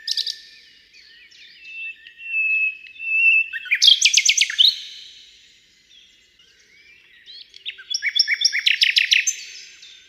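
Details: Common nightingale singing hidden in a thicket: a drawn-out pure whistle, then two bursts of rapid, loud, high repeated notes and trills separated by a short pause.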